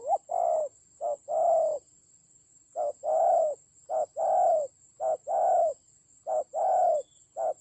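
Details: Decoy spotted dove in a fight, Vietnam's Central Highlands, 19 October 2020: paired low coos, a brief hoot followed by a longer swelling one, in three-part bursts separated by pauses, over a constant faint high tone.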